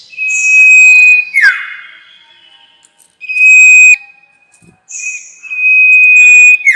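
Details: Trapping lure sound of the sirtu: long, level, piercing whistles, each about a second long, one ending in a falling slur and separated by short gaps, with high buzzy notes in between.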